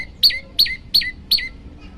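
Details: {'caption': 'Four loud, piercing notes from an olive-backed tailorbird, each a sharp high burst falling to a lower tail, spaced about a third of a second apart, from a master recording meant for training birds.'}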